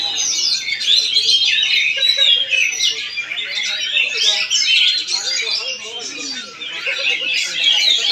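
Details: Oriental magpie-robin (kacer) in Palangkaraya, Central Kalimantan, delivering an eight-second bout of rapid, varied whistles, rattles and sharp chips, about four notes a second, with softer lower calls and faint voices behind.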